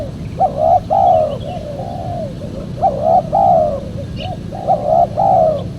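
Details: Spotted dove call used as a lure for trapping wild doves: soft, mellow cooing phrases of two or three hooting notes, repeated in groups about every two seconds, over low background rumble.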